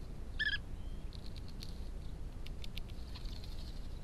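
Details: European bee-eaters building nests on land near a house in São Marcos da Serra, Algarve, Portugal, caught on trail camera: one short, rolling, throaty call near the start, then faint ticking over a low wind rumble.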